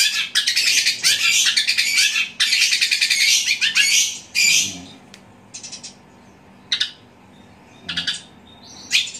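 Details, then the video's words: Loud sparrow-fight imitation by a caged long-tailed shrike (cendet): long runs of dense, buzzy, high chattering notes for about five seconds, then isolated short squeaky bursts separated by quiet gaps. "Cendet suara gereja tarung gacor roll speed tembak volume keras"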